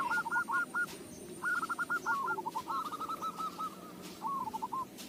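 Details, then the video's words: Local zebra dove suited to lure use, singing several quick bubbling phrases of staccato coos, each phrase a rapid string of hooked notes separated by short pauses, with a faint high whine early on. "Perkutut lokal suara cocok buat pancingan"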